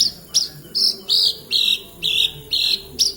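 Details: A Javan bush lark, called branjagan, kept in Kediri, singing actively. High, sharp chirped notes repeat about every half second in a steady series, over a faint low humming background.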